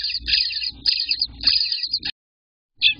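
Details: Day-18 Eastern bluebird nestlings calling from the nest, June 24th, 2021, morning to early afternoon: three long, raspy, hissing begging bursts in close succession, then a pause and one brief final burst.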